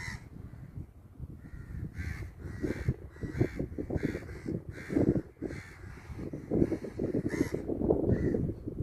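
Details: A crow calls caw caw again and again, loud hoarse notes coming in quick bursts and pairs across nine seconds, with low background rumble.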